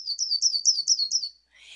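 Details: A yellow-rumped warbler (Setophaga coronata) sings a short, high, sweet trill of about six quick slurred notes, ending after a second and a half, followed by a soft hiss; its song is variable.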